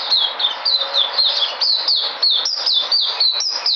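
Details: Vigorous white-eye song from 13 February 2020: a string of clear, high chirps, each sweeping downward, repeated rapidly and evenly with slight variations in pitch.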